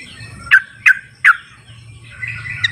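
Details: Wild sooty-headed bulbul giving three sharp, downward-slurred notes at uneven spacing, followed by soft chatter. The recording is used to call bulbuls that stay silent.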